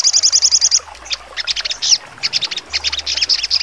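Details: Sogon (Crimson Sunbird) in trotol song with sharp notes: a brief quick high trill, then a run of scattered sharp chips and short twittered notes against light background hiss.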